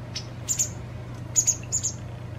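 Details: A few sharp, high doubled chirps from a White wagtail fledgling being fed by a parent two days before it leaves, heard over a low background hum.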